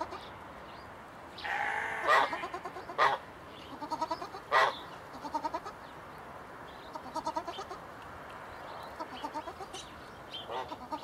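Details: A pair of swan geese in an open aviary: one drawn-out nasal honk, then a run of short, uneven honking and cackling notes, with quieter calls trailing off.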